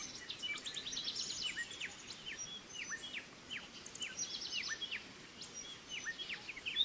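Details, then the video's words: Young pied fantails being fed by their mother give quick, high chirps that drop sharply in pitch. The notes are loosely spaced and overlapping, rather quiet against a steady background hiss. "Sikatan Kipas Meloloh Anaknya"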